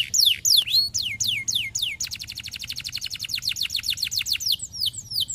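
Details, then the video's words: Bird song played to stimulate canaries to sing: quick downward-sweeping whistles, then a fast trill of repeated down-slurred notes, several per second, ending in further sweeping phrases. "os pássaros são bons para estimular canários cantando"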